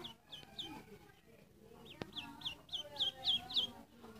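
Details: High, piercing duckling peeps, each a short downward-curving note, come in an accelerating, louder run of about three per second after a few scattered chirps and a click.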